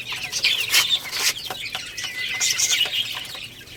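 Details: Baby chickens playing and eating give loud bursts of shrill peeping early on, then a steadier flow of overlapping high chirps.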